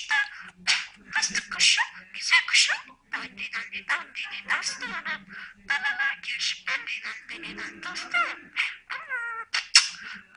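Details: Talking budgerigar delivering a rapid, continuous stream of scratchy, speech-like chatter: clipped syllables, harsh raspy bursts and brief whistled notes run together with only short pauses, with no other sounds clearly heard.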